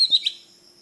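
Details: Oriental magpie-robin song: a quick burst of sharp, high whistled notes, a bright slurred note and then a short rising chirp, all within about a third of a second. Faint tonal ringing follows in an otherwise quiet background.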